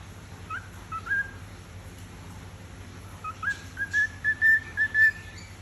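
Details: A pet cockatiel's singing attempt: a string of clear whistled notes, rising and steady, with a quicker run near the end.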